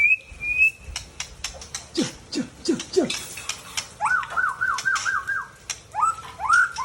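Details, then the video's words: Aceh white-rumped shama, a mature male from Tangse, Indonesia: a high level whistle, sharp ticks, four deep downward-swooping notes, then a fast pulsed trill and strong arched whistles. "Murai Aceh # Jantan Mapan Asal Tangse"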